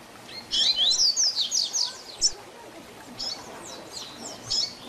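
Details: Teaching song in Tui Tui Zel Zel style from a double-collared seedeater, aimed at young birds. It opens with a fast run of ringing slurred whistles and a sharp accent, then trails off into softer high notes.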